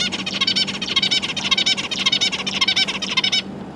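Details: Zebra finch chicks, newly fledged, being fed by their parents alongside three juveniles, 12 December 2022: a rapid, insistent stream of buzzy, high calls repeated about twice a second, stopping abruptly near the end, with a faint low hum beneath.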